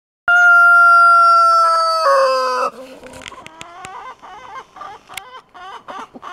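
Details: Chicken (Gallus gallus domesticus): a young rooster crows to the hens, one loud, steady crow lasting over two seconds, followed by soft, repeated clucks and murmurs from nearby hens.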